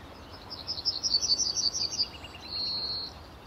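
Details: Male yellowhammer singing from a tree at RSPB Fowlmere, early morning, late March 2015: a rapid run of about ten high, bright notes that swells in loudness, ending in a sustained, slightly lower drawn-out note.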